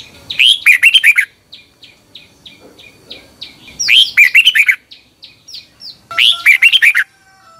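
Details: Red-whiskered bulbul song from Thailand, used as a morning training recording for birds. Three loud, rolling warbled phrases come about every three seconds. Softer short whistled notes from other birds fill the gaps.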